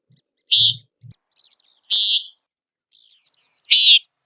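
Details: Common Nighthawk, a bird of open country, sounding three sharp nasal buzzy peent notes about one and a half seconds apart, interspersed with faint low thuds and soft clicks.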